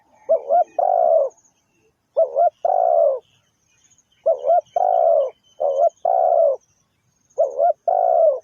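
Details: Lure-style Spotted dove call: repeated paired notes, a quick double-inflected coo then a drawn-out falling coo, given about five times in steady succession with short gaps, clean and loud against near silence.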